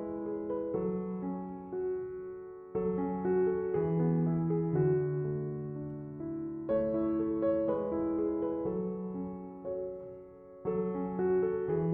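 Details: Gentle piano music plays throughout, with sustained chords changing every couple of seconds and no animal sounds.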